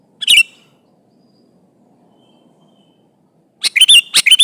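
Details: Prolific sooty-headed bulbul calling a rival: one short chirpy phrase, a three-second hush, then a longer run of lively, warbling, bubbly notes.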